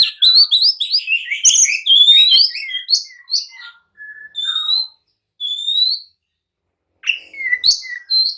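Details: Oriental magpie-robin in agitated song that goads others to reply and fight: a fast rich medley of whistles and chirps at first, then spaced single clear slurred whistles separated by silences.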